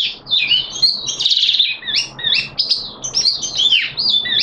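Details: Oriental white-eye kept in a cage, recorded 13 September 2022 during a deworming course, pours out a continuous high warbling song of slurred up-and-down whistles and twitters.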